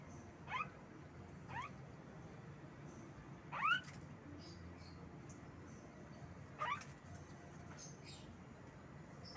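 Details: Pet Javan myna giving short rising chirps, four spaced calls over about nine seconds, each sweeping sharply upward, with a steady low background hum.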